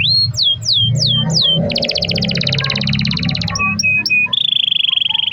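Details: Canary song used to prompt other canaries to sing, a long roller: a series of falling whistles, then a fast buzzy trill, sharp clipped notes, and a steady high rolling trill, with faint low hum beneath.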